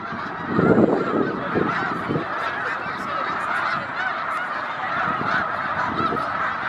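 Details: A large flock of migrating snow geese at Victoriaville, Quebec gives a dense, continuous chorus of nasal, yapping honks, many voices overlapping into a steady clamor with no pauses.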